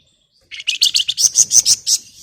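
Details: Female flamboyan calling a male in lively ngebren style: a quick string of about nine bright, high, sharply rising chirps, growing slightly louder toward the end, delivered in under two seconds.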